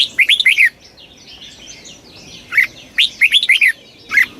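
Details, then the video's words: Rapid kích bổi song of a Red-whiskered bulbul: clear, liquid whistled notes in tight bursts of four to six, two phrases close together, over a background of faint high twitters. "tiếng chim chào mào kích bổi cực nhanh"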